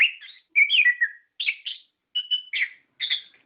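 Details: Lure song of an orange-headed thrush for prompting captive birds to sing: a few sliding whistled phrases followed by short rich bursts with pauses between.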